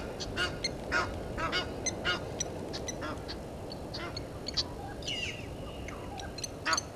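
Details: Sparser, quieter honks and a drawn-out wheezy note from Egyptian geese in a dispute with intruder geese at a Djuma Game Reserve waterhole, South Africa, 17:08, 10/04/21.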